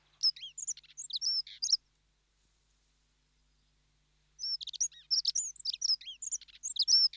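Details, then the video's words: Dunnock, or Hedge Sparrow, delivering two quick jangling bursts of high squeaky chirps, each under two seconds and separated by a silent pause of nearly three seconds; no other sounds present. "Dunnock (Prunella modularis) Sound Effect"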